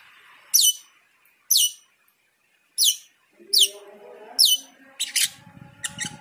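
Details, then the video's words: Cucak keling singing energetically with a full, varied repertoire in response to the call to prayer: sharp descending whistled sweeps repeated about once per second, then buzzier chattering notes over the low, drawn-out tones of the call to prayer. "Cucak keling teler gacor full isian saat mendengar adzan."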